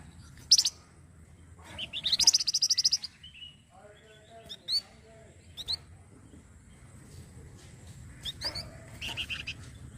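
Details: Model song of a flamboyan for training other songbirds: sharp high chips and a fast buzzing rattle, then low chattering notes and scattered clicks, ending with a few high twittering phrases.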